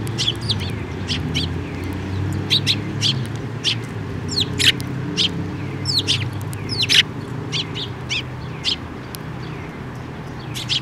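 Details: Several sparrows chirp as they fly in to be fed at a bridge near a Tenmangu shrine on 5 May 2024, a busy stream of thin, high chirps and twitters over a steady low rumble.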